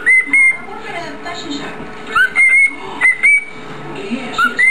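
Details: Pet cockatiel calling in the evening, indoors, with a second cockatiel playing with a plastic chain nearby: short, clear whistled notes, some flat and some sliding upward, in quick bursts.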